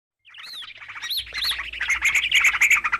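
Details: Green leafbird noisy call used as a lure for trapping birds: a quiet start, then a rapid chattering run of harsh, scratchy notes mixed with short rising whistles, growing louder and denser toward the end.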